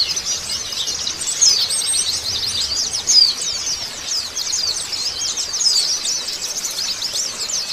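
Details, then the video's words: Chorus of many Oriental white-eyes, used to trigger song in untrained birds: thin, rapid, high chirps pour out nonstop, with a few brighter slurred notes and slight swells in loudness. "PANCINGAN BURUNG PLECI BAHAN & OBYOKAN CEPET RESPON BUNYI"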